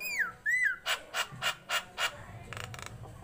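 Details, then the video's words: A Nias hill myna, tame and kept in captivity, sings energetically. Two clear descending whistles come first, followed by five evenly spaced harsh, broadband squawks and a softer rattling burst at the end. "BURUNG PINTAR,jalak NIAS"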